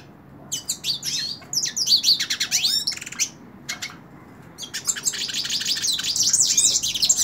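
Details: Singing in the hand, a hooded siskin gives rapid high twitters and swooping notes, pauses briefly, then launches into a long, dense, buzzy warbling phrase.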